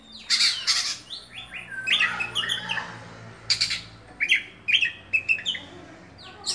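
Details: Oriental magpie-robin, a caged songbird, gives a varied song of sharp chirps, short whistled slides and bright accented notes in scattered bursts over a faint low hum.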